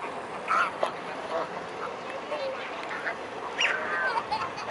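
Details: Mute swans in a crowded flock at Blaues Wunder, evening of 22 May 2016, 19:25: short nasal honks and wavering calls stand out above murmuring voices and general noise.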